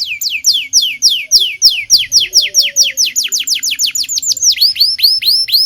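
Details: Lively local canary song used as a lure for young canaries learning to sing: a long, steady run of loud, clear downward-swooping whistles several per second. It ends in a row of sharper, higher rising chirps.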